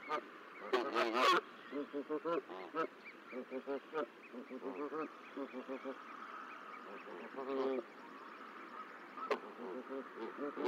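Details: On hatch day, 13 April 2024, at a Decorah nest with three newly hatched goslings: an extended stream of soft, short nasal notes in irregular clusters, with a few harsher bursts over a steady background hiss.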